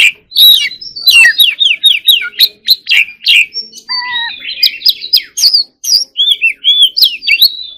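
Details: White-rumped shama, a lively stream of quick whistled notes and clicks, including a few lower fluty slurs midway, sung almost without pause.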